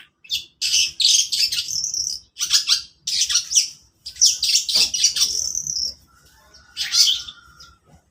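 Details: Morning song of a long-tailed shrike: clusters of raspy, chattering high-pitched notes in several bursts, the last ending in a thinner, quieter trailing phrase.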